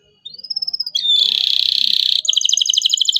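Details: Local canary song played to train young canaries: a thin rising whistle held briefly, a dense buzzy roll, then a quick bright chattering trill.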